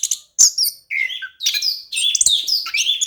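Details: Orange-headed thrush in full, lively song of the rolling ngeroll type, played as a lure for lazy singers: a few loud, chattering, buzzy phrases broken by brief pauses.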